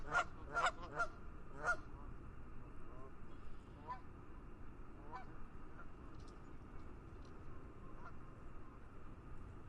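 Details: Geese over a lake in fog give four loud, nasal honks in the first two seconds, then fainter scattered honks over a steady low rumble of wind or distant noise.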